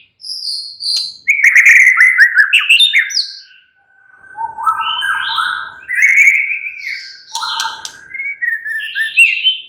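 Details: White-rumped shama singing a relaxed, varied song: rich fluting whistles, quick chattering bursts and sliding phrases, broken by a short silence, with a steady held tone running under parts of the song.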